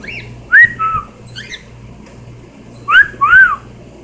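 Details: Pet cockatiels indoors giving a whistled phrase twice: a quick rising note then a longer arched, slurred note, each phrase backed by a short scratchy chirp, over low steady room hum.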